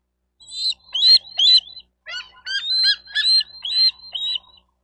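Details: Wild bald eagle at a Florida nest in Miami-Dade County, 28 May 2023, via nest cam: two loud bouts of high, squealing, chittering notes, roughly nine in all, shrill and slightly rising, with clean silence between.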